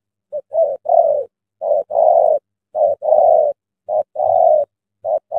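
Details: Decoy spotted dove calling at dawn to attract a large wild spotted dove into a trap in Vietnam: rapid sequence of short and long mellow coos, close and clear.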